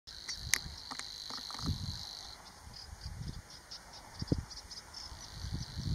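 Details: A Savi's warbler (Locustella luscinioides luscinioides) sings at Vadu, Dobrogea, Romania, in May 2019: a fast, dry, insect-like reeling buzz that runs for about two seconds, then fades, with low wind thumps and faint chirps behind.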